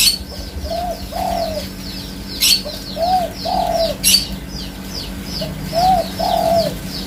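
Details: Spotted dove cooing in paired phrases, a short soft note leading into a longer, rounded coo, repeated several times, while many small birds chirp with high downslurred notes and two sharp snapping bursts cut through.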